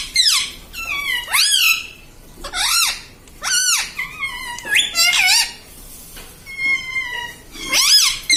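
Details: Indoor pet parrot imitating family words like mummy and papa, producing a rapid series of high, squeaky, up-and-down whistled syllables, some drawn out into steady tones, in close succession.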